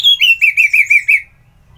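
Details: Orange-headed thrush sings a quick series of seven loud, evenly spaced whistled notes, each slightly rolling, delivered in just over a second and then stopping cleanly.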